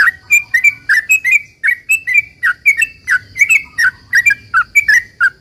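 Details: Sooty-headed bulbul in full song, a long 'ropel' run used to draw replies from other bulbuls: brisk sequence of sharp, down-slurred chirps and doubled notes, nearly continuous, with a faint constant high hum behind.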